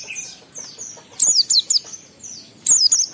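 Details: Oriental white-eye singing to stimulate emotion and breeding urge in other white-eyes; soft high whistles, then two short bursts of bright, thin, rapidly falling chirps.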